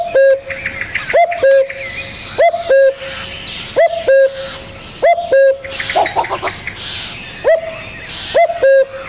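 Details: Steady series of spotted dove coos, each a rising hook then a held even tone, repeated about every second over busy chirps and twitters of other birds.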